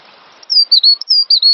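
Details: High whistled song of a cinereous tit, master recording for songbird training: a few sharp, clear notes sliding slightly downward, some paired, following a half-second of soft background hiss.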